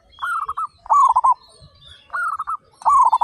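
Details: Four quick-pulsed coo phrases from local zebra doves, a group of 35 praised for loud, eager singing. Softer and louder voices alternate, each phrase a rapid run of four to five beats.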